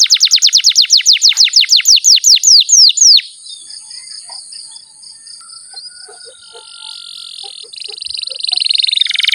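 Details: Belgian canary, kept as a domestic bird, sings a song opening with a fast, loud roll of about sixteen high, down-slurred notes, then dropping into a softer rattling trill and a rising buzzy phrase.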